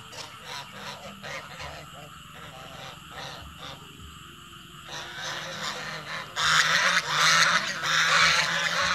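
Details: Goose calling in the evening: quieter background calls at first, then loud, harsh, broad honks burst out over the last three seconds, repeated in quick succession.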